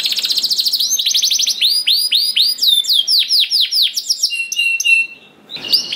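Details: Canary singing in the continuous 'ngedur' rolling style, meant to set other canaries singing: a rapid trill of rising notes, then a chain of arched whistled sweeps with high chips, a brief pause, and a final burst.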